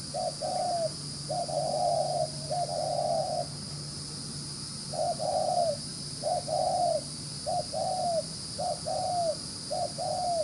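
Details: Spotted dove from the wild delivering brisk, rapid cooing: series of deep, soft coos in short-long pairs, some run together, one pause midway, then the series resumes over light hiss.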